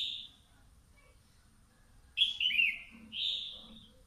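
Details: A two-month-caged wild-caught red-whiskered bulbul sunning in the morning gives a brief high note, then a quick falling warbled phrase and a final bright whistle, with quiet background hum.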